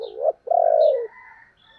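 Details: Close Spotted dove of the 'thổ' voice type, calling and urging. A brief low note, a short pause, then one long, steady, slightly falling coo. Faint high chirps are heard behind it.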